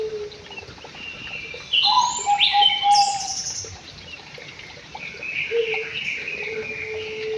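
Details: White-rumped shama singing in an aviary: varied clear whistled phrases, some high and sliding, others low and steady, with a louder burst of mixed whistles in the middle over a rough background hiss.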